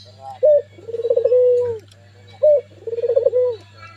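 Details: An albino Barbary (ringneck) dove gives a short clipped note followed by a low, rolling, purring coo, repeated about every two seconds over a faint steady hum.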